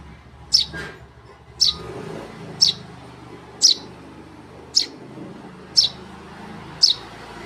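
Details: Tame Eurasian tree sparrow chick giving short high chirps about once a second over a steady background hiss.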